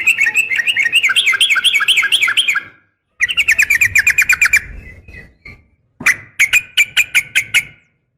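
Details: Female yellow-vented bulbul calling its mate, a lure for caged males: a long, rollicking string of rising and falling chirps, a second quick run, then a spaced series of sharp notes.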